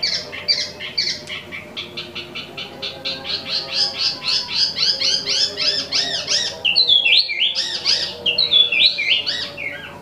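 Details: Non-stop singing from an imported Wambi mini (Tieu Mi): very fast stream of high, dry chips and buzzy notes, several per second, broken later by squeaky swooping phrases.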